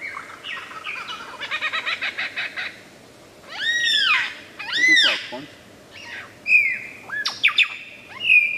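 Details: Superb lyrebird in the wild imitating varied sounds: a fast chattering run of repeated notes, then two loud arched whistles that rise and fall, then sharp slurred whistles and a final held note.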